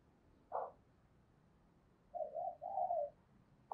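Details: Caged decoy spotted dove cooing daily in a dueling style meant to provoke wild doves. A single short low note, a pause, then a two-part mellow coo, the second part drawn out, ending in a sharp click in a quiet room.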